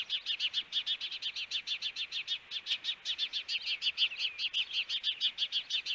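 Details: Encounter between two wild ospreys at their nest in Hellgate Canyon, Missoula, Montana, June 21, 2022, captured by a nest camera: steady, insistent string of high piping chirps, about three each second, without a break.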